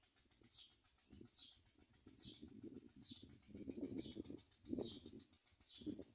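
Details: Baby common mynas begging as the mother feeds them: a steady series of high, falling squeaks repeated roughly every 0.8 seconds, over low rustling and scuffling sounds.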